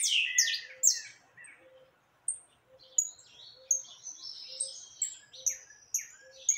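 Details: Saffron finch singing heavily among free birds, 20 October 2021; a loud jumble of falling chirps at the start, then spaced high notes, with a soft low tone pulsing regularly beneath.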